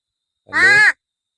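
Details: Pet talking crow in Palghar, chatting with its owner: one drawn-out, nasal, harmonic-rich cawing note lasting about half a second, with silence around it.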